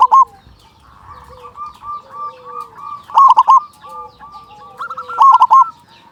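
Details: A local zebra dove with a strong voice sings to stimulate other zebra doves. Two bursts of loud, rapid stuttering coos stand out against a steady chorus of softer repeated whistled notes.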